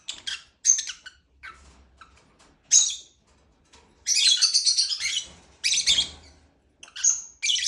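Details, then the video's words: Lovebird chirping with scattered short squeaky notes, then a louder harsh chattering stretch in the middle and a few piercing chirps near the end. "Lovebird chirping sound"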